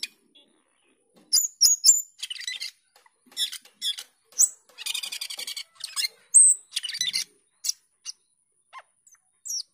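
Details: Energetic song of a cucak keling starling: scattered harsh chatters, buzzy rasping bursts and clear high whistled notes, delivered in irregular spurts with short pauses.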